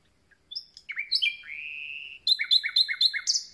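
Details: Freshly arrived common nightingale singing: downslurred notes leading into a long sustained whistle, then a rhythmic run of about six quick repeated two-part notes.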